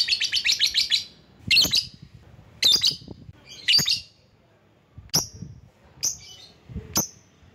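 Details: Lovebird calls used to lure and call a rival: a quick run of shrill chirps, then harsh screechy bursts and sharp high squeaks spaced about a second apart.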